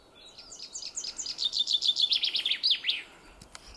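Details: A common chaffinch singing in a forest gives a bright, quickening run of high chipping notes that tumbles down the scale and ends in a brisk flourish, all in under three seconds.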